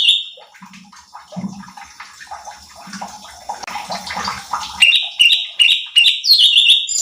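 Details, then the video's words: Cucak cungkok bulbul on a lure recording used to train competition birds and provoke other birds: after a few seconds of muddled splashing, water-like noise, a loud, clear series of bright, repeated whistled phrases follows in quick succession. "CUCAK CUNGKOK GACOR || Pancingan Cucak Cungkok Malas Bunyi | Bikin Emosi Burung Lain"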